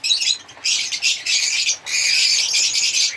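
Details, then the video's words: African lovebirds chirping in harsh, squawky bursts of shrill notes, with brief gaps between loud stretches of chatter. "African Lovebirds singing and chirping sound"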